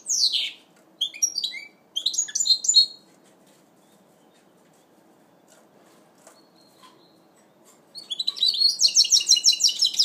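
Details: Goldfinch mule singing during its first moult in 2012. Short bursts of high twittering and trilled notes open the recording, followed by about five seconds of near silence, then a rapid run of repeated chirps.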